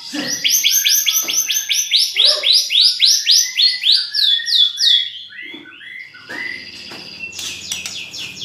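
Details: White-rumped shama, champion singer of rich 'isian' material, pours out a fast series of loud downslurred whistles, then lower slurred notes, fading into quieter chatter with faint background noise.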